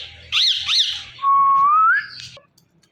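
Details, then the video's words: Indian ringneck parrot calling "Mithu": two quick arched squeaks, then a long smooth whistle that rises at the end, followed by a brief buzzy note. "Indian Ringneck Parrot Calling Mithu Mithu"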